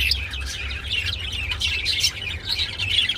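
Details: Budgerigars chirping during mating: quick, bright, overlapping tweets and scratchy warble notes in a steady stream, with low background hum.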